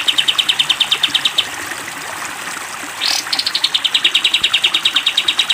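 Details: Caged sooty-headed bulbul, recorded to train other cage birds, giving the 'tembak panjang' pattern: a swift run of sharp repeated chips, a short water splash, then another long, even burst.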